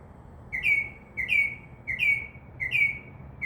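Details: Northern mockingbird in a tree outside a window, night singer that imitates crow caws and other sounds; one sharp downslurred whistle repeated four times, roughly every 0.7 seconds, very regular, with a quiet low hum beneath.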